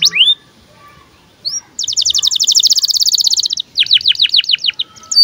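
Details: Birahi canary song used to tutor young canaries: a few high upward slurs, then a long rapid even trill of about two seconds, followed by a run of descending whistled sweeps.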